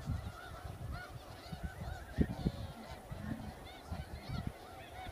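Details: A large flock of snow geese in a wheat field in Arkansas in February calls continuously, a dense overlapping chorus of nasal, yelping honks, with a low rumble of wind or movement underneath.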